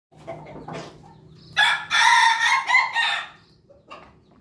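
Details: A Pelung rooster, described as Pelung Bangkok and filmed 18 May 2024, gives a loud, rough, drawn-out crow with a wavering middle and a falling finish.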